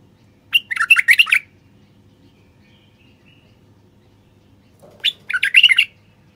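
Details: Common bulbul male singing to encourage quiet wild bulbuls and females to breed: two quick, jumbled, chattering-whistled phrases about four seconds apart, a faint rustle before the second, and a low steady hum underneath.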